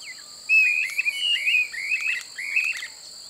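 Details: Streamer-tailed tyrant (Gubernetes yetapa) at Pousada Aguapé, Aquidauana, Mato Grosso do Sul, Brazil, in open marshy country: a quick series of about six harsh, chattering two-part notes over three seconds, with steady high insect buzzing throughout.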